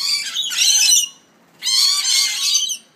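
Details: Lorikeets giving two harsh, buzzy screeching bursts, each about a second long, separated by a short silence; the calls are rasping and high, with no other clear sounds.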